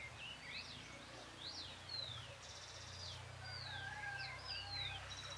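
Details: Full moon night song of a Great thrush, observed 13 June 2022, 6:26 PM: a continuous chain of high whistled sweeps, sharp downslurs and a short buzzy rattle, delivered over a low steady hum.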